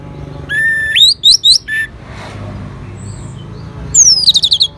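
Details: An orange-headed thrush responds to lure playback with sharp, rising whistled notes in short bursts, then a pause, then a rapid stuttering series of high descending notes.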